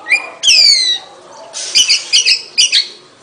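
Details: Oriental magpie-robin producing two long descending whistles, then a series of short, harsh chattering notes in pairs.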